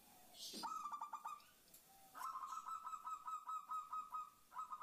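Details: Female perkutut, the zebra dove, calling for a male to lure wild doves: bursts of fast stuttering coos that settle into long runs of even, level notes repeated several times a second, over light background noise.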